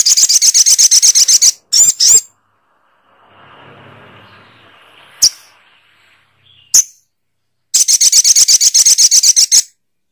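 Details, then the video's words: Little spiderhunter delivering a fast, evenly repeated series of shrill high chirps, then a pause with faint background hiss and two single chips, then another rapid chirping series. "Suara Burung SOGOK ONTONG"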